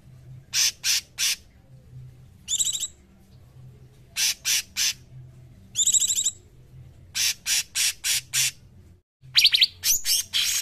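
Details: Harsh, buzzy high bursts from a cungkok bird, mostly in quick groups of three, broken by a few sharper harmonic notes, recorded as a training song for songbirds.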